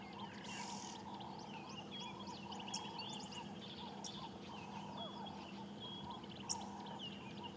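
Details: Grey go-away-bird hidden in a thick green bush on a sunrise safari drive, alarm calling as a bird of prey, possibly a Wahlberg's eagle, flew over: nasal, drawn-out 'go away' calls in a low wavering run, with twittering songbirds and an engine hum.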